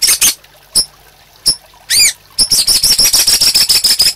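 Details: White-rumped shama master song for training caged birds: scattered sharp high clicks and a brief rising whistle, then a rapid steady run of high ticking notes, about five a second.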